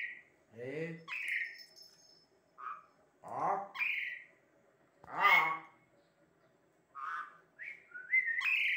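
An Asian pied starling sings a jumbled run of harsh churrs, squawks and liquid whistles in bursts about a second long, with short pauses between phrases.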